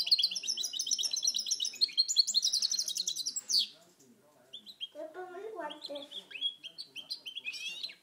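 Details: Goldfinch × canary hybrid recorded in 2010: a rapid twittering song of high chirps and trills, then a short pause, lower murmuring sounds, and a return to scattered high whistled and chirped phrases.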